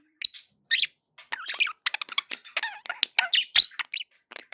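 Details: Happy pet budgies chattering in quick broken bursts of sharp squeaks and short clicks, with brief gaps of silence between them.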